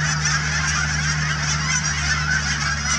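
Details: A dense wall of honks from thousands of Canada geese gathered at the Cheam Wetlands near Chilliwack, British Columbia. Countless nasal calls overlap evenly throughout, over a constant low droning hum.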